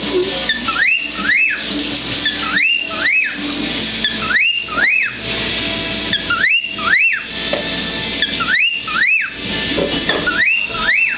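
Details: Four-year-old male cockatiel courting a dish towel, whistling a courtship song of sharply rising notes repeated in quick pairs.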